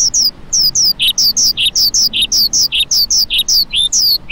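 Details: A lark repeats short, falling chirps about four times a second in a regular, rhythmic series, alternating slightly higher and lower notes.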